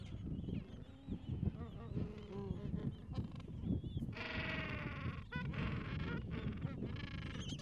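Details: Gentoo penguin chicks around two weeks old press under their mother in cold wind; strong gusts dominate at first, then a loud buzzy bray starts midway and continues in pulsing bursts.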